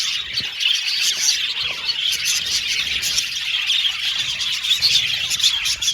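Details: Budgerigars, Australian parakeets kept in an aviary colony, singing and chirping: a dense, continuous chorus of overlapping high warbles, squawks and chirps with no pauses.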